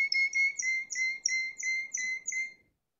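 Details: Spanish timbrado canary singing: a steady rolling series of bright, metallic notes repeated about three times a second, level in pitch, ending abruptly after two and a half seconds into silence.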